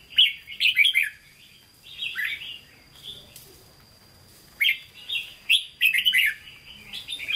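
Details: Hue-style song of a caged red-whiskered bulbul: bursts of clear, quick whistled notes with gaps between phrases, loudest at the start and again after four seconds, a thin steady tone underneath.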